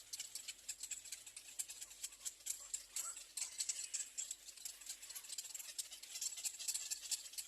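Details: At nest three, little egret chicks screaming for food produce a fairly quiet, high, hissing rattle of quick repeated clicks, pulsing unevenly throughout.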